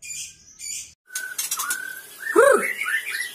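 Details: After brief human voices and a pause, a caged Sabang white-rumped shama gives a flat whistle, a short rising slur and a loud swooping phrase, then a run of quick whistled notes.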